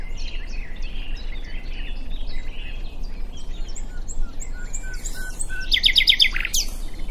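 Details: Singing common nightingale at Diddington: after several seconds of quieter background birdsong, a loud, fast, rattling phrase of repeated notes, ending with a sharp high note.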